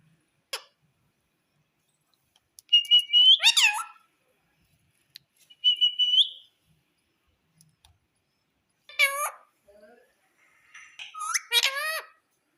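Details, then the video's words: Indian ringneck parrot indoors at home giving short level whistles that bend upward at the end, spaced by silences, then later louder harsh squawks sweeping down in pitch, with occasional soft clicks between calls. "Indian Ringneck Parrot Voice || Great Indian Ringneck Parrot Sound At Home"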